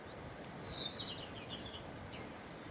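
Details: Double-collared seedeater singing in the bush: a quick, high twittering phrase of sweet notes lasting about a second and a half, ending with one sharp chip over steady background hiss.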